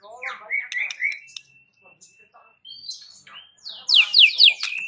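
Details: White-rumped shama song, a lure meant to set every shama in the village answering; sweet whistled phrases near the start, a quiet gap with a thin held tone, then loud rapid rising slurred notes at the end.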